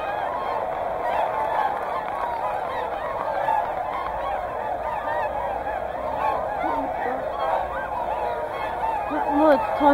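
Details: Whooper and Tundra swans together at Hyoko, Niigata, in a dense, continuous chorus of nasal honking calls, many birds overlapping with wavering, trumpeting notes throughout.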